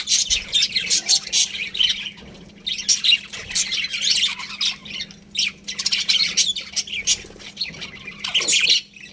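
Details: Pet budgerigars chirping in bursts of dense, scratchy warbles and squeaky notes, separated by short quieter gaps, with a low steady hum in the background.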